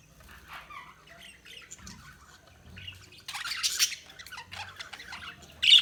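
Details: Budgerigars chirping, mostly soft scattered high twitters with a louder burst of dense chatter near the middle and a sharp squawk at the end.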